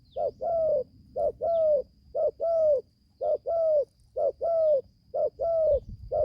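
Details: Young spotted dove, caged, from Gia Lai, Vietnam, on its first trip to the forest for training. A quick note precedes a slightly descending drawn-out coo, repeated regularly about once a second, over a low rumble and a faint thin high whine.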